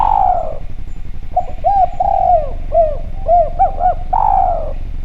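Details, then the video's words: Javan spotted dove in full voice, a clear lure recording meant to draw doves into calling: a long falling coo opens, then a series of short hooked coos, and a final long descending coo, over a steady low rumble. "Derkuku Djawa Gacor Suara Bening, Spesial Suara Pancingan"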